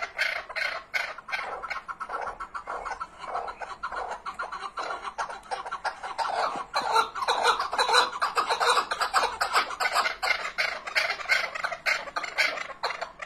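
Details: Chukar partridge producing a long, rapid series of rough clucking notes that grows denser and louder into a continuous cackling chatter.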